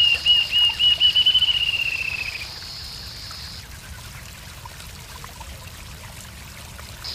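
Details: Rufous-tailed jacamar song in Arapongas, Paraná, Brazil: a fast series of high, thin notes about two seconds long that accelerate and fall slightly in pitch, with a steady high hiss behind.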